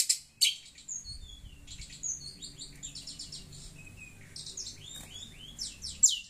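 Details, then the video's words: Long-tailed shrike chattering as it hears a phone: a varied, jumbled run of high chirps, quick down-slurred whistles and scratchy notes, with short loud harsh calls at start and end. "Burung pentet cerewet dengar suara hp"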